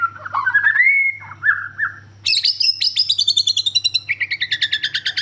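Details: White-rumped shama from Borneo singing: rising whistled notes, then a fast series of bright repeated chirps and trills, a steady low hum beneath.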